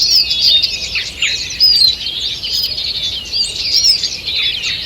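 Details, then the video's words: Morning forest chorus from 2 June 2023: many small birds chatter and trill continuously in high overlapping phrases, swelling briefly in the middle, with quiet background hiss. "Утреннее пение птиц"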